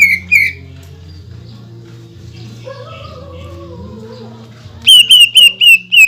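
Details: Greater green leafbird in full song, delivering imitated material and rapid-fire shots meant to provoke other leafbirds: two loud notes open, then softer other bird-like tones, then five loud, evenly spaced, sharp high notes.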